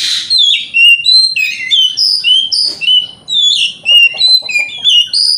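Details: Oriental magpie-robin lure song to provoke rival magpie-robins: loud, continuous, varied whistled phrases, rising and falling notes delivered rapidly in bursts, with an opening harsh note.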